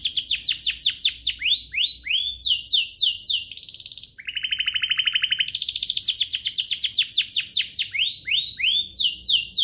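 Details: Canary singing to prompt other canaries into song, with quick repeated descending whistles, a buzzy rolling trill in the middle, then more fast falling notes in rhythmic phrases.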